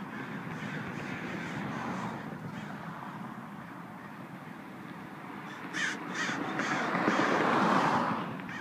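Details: Many crows at a roadside crow sanctuary in Simi Valley at sunset, a loud flock. Dense, overlapping harsh caws form a continuous chorus, swelling louder from about six seconds with a burst of sharper calls near the end.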